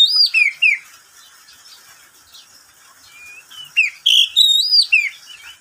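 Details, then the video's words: Oriental magpie-robin kept as a pet, singing at midday: three downslurred whistles, a soft lull with a faint thin note, then a loud cluster of ringing, sliding whistles. "Suara burung Kacer di siang hari"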